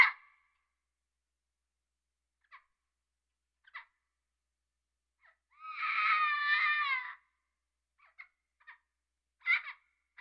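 An African grey parrot gives one drawn-out, wavering, rather harsh cry lasting about a second and a half, with scattered short clicks and chirps before and after.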